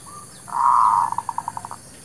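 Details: Lure song of a local Zebra dove used for trapping and for new birds: a long, steady, soft cooing note that breaks into a quickening series of short staccato pulses, with faint distant chirps.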